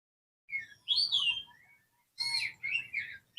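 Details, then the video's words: Black-naped oriole calling a rival: short whistled and chirping phrases, a bright slurred note, then a cluster of quick fluty notes after a pause. "KEPODANG EMAS GACOR MEMANGGIL LAWAN"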